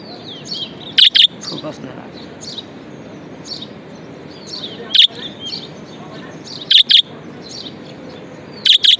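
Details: Budgerigar kept as a pet repeating loud paired chirps every couple of seconds, plus some single chirps, while many faint whistled twitters continue behind.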